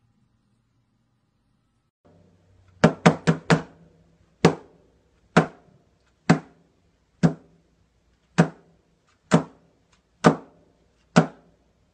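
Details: Sharp wooden knocks, a quick burst of four and then single taps about once a second, over a low indoor hum; no animal voice.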